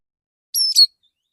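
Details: Morning lure song from a male Oriental magpie-robin in a relaxed style, calling other magpie-robins: a quick piercing whistle joined to a rough twittering burst, under half a second long, isolated in silence.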